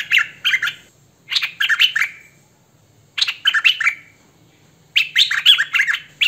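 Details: Four separate bursts of hwamei song, "thơm mồi" style: each a quick jumble of bright, slurred whistles lasting under a second, with clean silent gaps between them.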